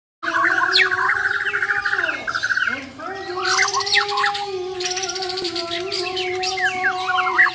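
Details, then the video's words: Champion Borneo White-rumped shamas of the "Muara Wahau" line in a face-off, singing full besetan and tembakan phrases: sharp whistled notes and chattering bursts over a steady low droning hum, with a brief dip midway. "BURUNG - BURUNG JUARA MURAI BATU BORNEO "MUARA WAHAU" || FULL ISAIN BESETAN DAN TEMBAKAN"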